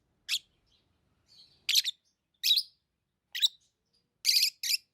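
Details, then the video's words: Lovebirds kept as pets chirping: shrill, scratchy single chirps spaced irregularly, ending with a louder double chirp, with faint soft twitters between. "Love birds Sounds | lovebirds chirping sounds"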